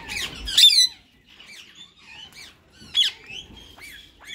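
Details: Rose-ringed parakeets, a white male with a green companion, in talking mode: a loud harsh squawk opens, then quiet muttering warbles and a second sharp squawk with rising chirps.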